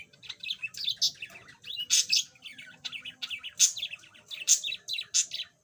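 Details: Steady chattering warble from a yellow budgerigar kept as a pet, formerly silent and now beginning to sing: dense chirps, buzzy notes and looping whistles, loud accents every second or so.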